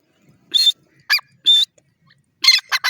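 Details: Francolin (teetar) at feeding time, kept for breeding; a few harsh, buzzy notes with clear high whistled tones, given in short separate bursts with quiet gaps between them.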